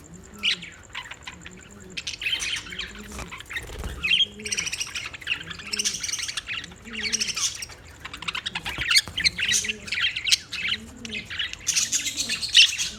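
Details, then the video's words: Budgerigar chatter: bursts of high, scratchy chirps and warbles come and go, with a steady low pulsing hum repeating beneath them throughout. "Funny Budgie | Funny Budgies Sounds"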